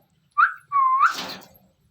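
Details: A parrot, possibly a ringneck, gives a brief clear whistle, then a longer whistled note ending in a harsh squawk.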